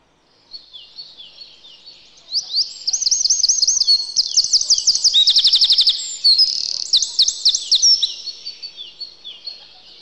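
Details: A Eurasian wren that comes to a yard for the winter sings after a quiet start: a shrill cascade of rolling loops, a rattling trill in the middle, and more looping phrases fading toward the end.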